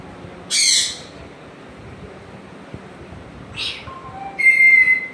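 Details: Captive African grey parrot at home, coaxed by its owner, lets out a harsh squawk, a second shorter squawk a few seconds later, then a clear, steady whistled tone with bright overtones.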